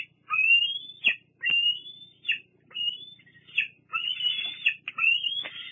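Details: Fraser Point bald eagle young, 8 August 2022, squeeing beside a parent: irregular high squealing whistles, some long and rising, others clipped, running close together.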